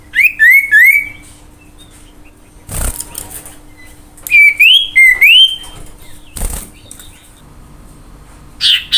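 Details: Common iora singing to lure other birds into song. Short rising whistles come in quick runs of three or four, separated by sharp clicking knocks and quiet pauses.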